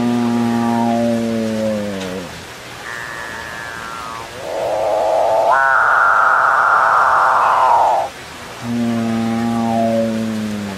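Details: Capuchinbird singing: long, low, moaning notes with rich stacked harmonics, each drawn out about two seconds and sliding downward at the end, with a higher droning note in between.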